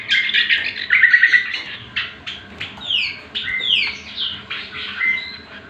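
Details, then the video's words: Leafbird training song for other birds: quick chattering trills and downward-sliding whistles in short varied phrases, bright and high. "Pancingan dan Masteran Cucak Kombo"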